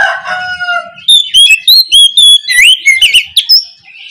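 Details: Morning 'ngeplong' song of an oriental magpie-robin, used as a lure to prompt quiet birds to sing: a lower, drawn-out descending call opens, then a fast series of loud, high whistles and slurred notes, varied and rising.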